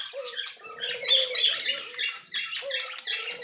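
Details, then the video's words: Pair of budgerigars, a white male and a yellow-green female, recorded October 30, 2024: rapid chattering warble of squeaky, scratchy notes in quick bursts, over a wavering low steady tone. "Australian bajri parrot"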